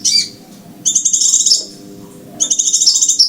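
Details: Scarlet minivet call used to attract birds for trapping: three bursts of quick, high, sibilant pulses, the longer ones trailing off in a slurred note, against a quiet humming background.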